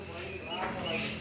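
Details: A young, tame black-capped lory that is learning to talk gives a quick, slightly hoarse run of human-like syllables with rising and falling pitch over a steady background hum.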